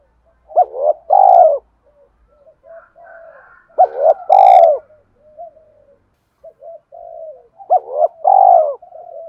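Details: Spotted dove giving "thúc" cooing to stimulate a decoy bird: three loud, rasping double coos spaced about three and a half seconds apart, separated by soft, low murmured notes, with a click during the second phrase.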